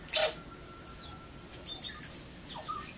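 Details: Tui song, New Zealand: a loud wheezy burst, then high metallic clicks and short squeaks spaced about half a second apart.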